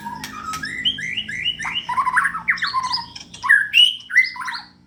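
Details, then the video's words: White-rumped shama, a caged murai in Indonesia kept in full song for a contest, delivering a rich varied song of quick slurred whistles and squawky phrases, loud rising and falling notes. "burung murai gacor"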